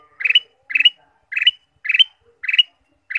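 Ruby-throated bulbul repeating a short, bright warbled phrase about every half second, each a quick cluster of rich mid-high notes, against a quiet background.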